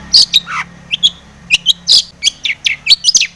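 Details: Long-tailed shrike in lively mimicry-filled song used to provoke singing: a quick jumble of sharp chirps, downslurred whistles and bright scratchy notes.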